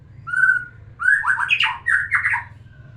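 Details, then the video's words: Song of a white-rumped shama, played to stir a female into breeding condition: a clear sustained whistle, then a quick run of rich slurred notes rising and falling, ending in chattered phrases over a faint low hum. "terapi kicauan murai batu biar pancing birahi betina"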